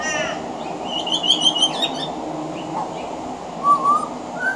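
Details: Veranda-side pied butcherbird weaving mimicry of other Australian birds into its song: a wavering high whistled phrase, a pause, then lower clear fluted whistles sliding upward, with faint scratchy notes and steady hiss behind.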